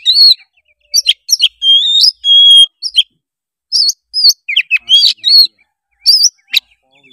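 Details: Loud, clear Oriental magpie-robin song meant to coax a lazy juvenile into singing: a steady run of varied whistles, a long sustained high note, then twisting slurred phrases and sharp chips.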